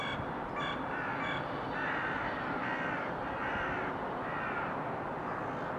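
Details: Crows calling in February 2023: quick sharp caws at the start, followed by longer, rasping caws spaced about a second apart, with steady low background noise.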